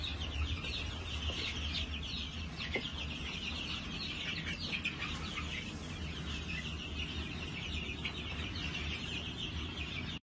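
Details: New Hampshire chickens on a farm on 22 March 2021 give a long run of overlapping high chirps and peeps, with a few brief clicks and a steady low hum.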